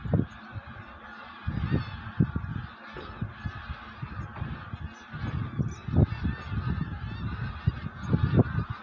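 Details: Honking from wild geese preparing to migrate: deep, abrupt calls in irregular clusters throughout, loudest near the start and end, with a constant low rumbling background.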